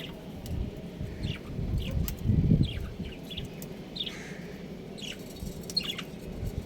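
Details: Pet breeding pair of budgerigars chirping: short, high, downward-slurred chirps scattered irregularly through the clip, some in quick pairs, fairly faint over a steady low rumbling background noise.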